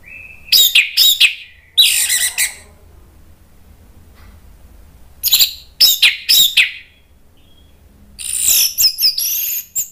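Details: Orange-headed thrush singing in an agitated way to provoke other birds: three bursts of very high, rapid chips and squeaky whistles separated by quiet gaps, the last a tumbling twittering run.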